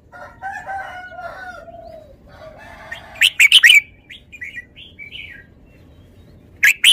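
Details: Caged red-whiskered bulbul gives a short series of mellow, warbled whistled notes over about two seconds. A few brief higher chirps follow, mixed with sharp clattering knocks like cage or wing noise.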